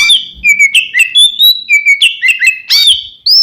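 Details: Rival-provoking song of an oriental magpie-robin: a quick string of clear, high whistled notes, some steady, some upslurred, with short buzzy chips and a final rising whistle.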